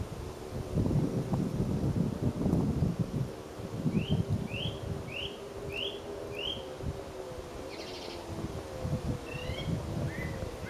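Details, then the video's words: Song thrush in Lincoln repeating one clear up-slurred whistled note five times at steady intervals, followed by a couple of different phrases, with a low hum and rustling in the background. "The beautiful song of a songthrush"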